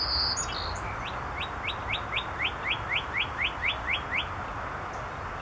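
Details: A male northern cardinal singing overhead on 18 July 2014 gives a fast series of about a dozen clear, rising whistled notes, about four per second, after a brief higher chirp, over steady hiss.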